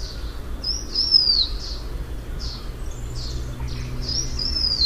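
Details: Blue-winged minla calling with two high, thin descending whistles about three seconds apart, surrounded by short chirps of other birds over steady low noise.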